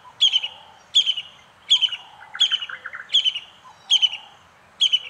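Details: Brown-hooded kingfisher calling steadily, each phrase a high piercing note dropping into a rapid rattling stutter, repeated roughly every 0.8 seconds, with a faint lower chatter in the middle.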